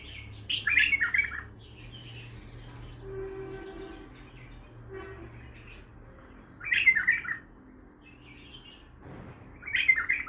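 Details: Raw bulbul in the Baghdadi song style: three lively warbled phrases roughly every three seconds, separated by softer twittering, over a faint low hum.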